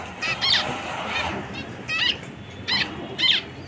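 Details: Repeated nasal honking beeps from a zebra finch, four strong calls spaced irregularly over nearly four seconds, each slightly descending, with a faint murmur beneath.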